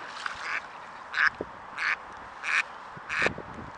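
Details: Mallards frolicking at sunset in autumn 2017 in the Middle Urals, Russia: five harsh, nasal quacks repeated about every two thirds of a second over a steady background hiss.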